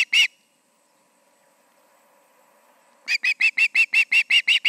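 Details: Osprey pair at the Charlo nest, evening of 20 August 2019 near 7pm; one sharp note, a quiet pause with faint hum, then a fast train of loud, high, clipped calls.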